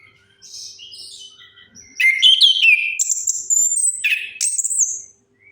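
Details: Orange-headed thrush lure song aimed at silent birds: quiet warbling at first, then a loud, rapid run of whistled, slurred and trilled notes climbing to high sustained tones.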